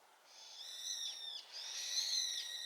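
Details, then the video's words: A brown-eared bulbul answers a flock's loud chorus with two loud, harsh, screechy notes, each just over a second long, the first dipping at the end. "群れの大合唱に応えるヒヨドリ ヒヨドリの鳴き声 Brown-eared bulbul sing too loud."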